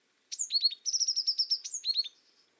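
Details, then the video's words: An azure tit sings one phrase: a high falling whistle, two or three quick downslurred notes, a rapid level trill of high notes, then the whistle and dropping notes again. The background is quiet. "Как поёт белая синица лазоревка? Белая лазоревка, князёк (Cyanistes cyanus)"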